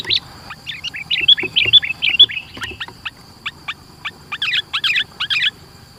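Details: Sooty-headed bulbul lure song for drawing rivals near: rapid, warbling whistled notes, then sharp descending chips, then a final burst of rich bubbling phrases, over a constant high-pitched whine.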